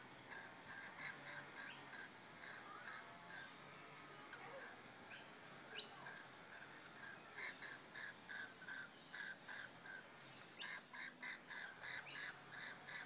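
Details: Rainbow lorikeets during mating in the bush keep up continuous shrill chattering, with scattered screeches at first, then a rapid pulsing series of harsh notes, several per second, toward the end.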